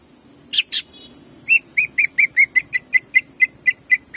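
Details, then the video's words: Greater green leafbird singing in jamtrok style, rapid shooting phrases meant to rouse other birds: two harsh buzzy bursts, then a fast train of short whistled notes repeated about every quarter second. "CUCAK IJO GACOR JAMTROK TEMBAKANYA BIKIN PANAS"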